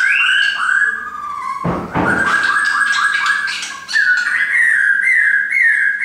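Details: Captive shamas kept by their owner give long steady whistles, interrupted by a sharp broadband burst, then resume with a level whistle and bright rising notes.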